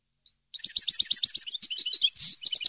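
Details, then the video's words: Song of a European goldfinch used to train captive birds: rapid repeated liquid twittering notes, short varied chirps, a sustained thin whistle, then more quick high trills, with a clean quiet background. "Canto Para Educar Jilguero"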